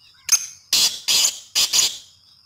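Four harsh, scratchy call notes from a female grey francolin, the last three closely spaced, over a faint steady high insect hum.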